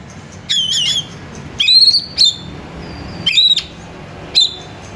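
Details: Oriental magpie-robin song for luring a kacer into song. Rich wavering whistles and rising slurred phrases come in four separated bursts. A thin sustained whistle is heard between them, over quiet background.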